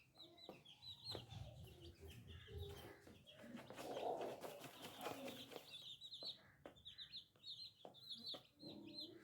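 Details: Little chicks chirp in rapid high cheeps through a busy background of clattering knocks and scratching noise, with a low murmur and some soft clucking in the middle.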